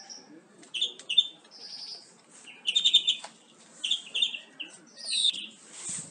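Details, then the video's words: Greenfinch song used for tutoring captive birds, made of short bursts of twittering notes and brief rattled trills separated by short pauses, mostly high-pitched, with some soft clicks between phrases. "Greenfinch Song 679 - Tyson Kuşlarınızı Huylandırmak için Kullanabilirsiniz"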